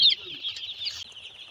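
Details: Broiler chick during brooding at a farm in Nagariakandi, Narsingdi, a loud high peep at the start followed by a continuous run of shrill overlapping cheeps from the group.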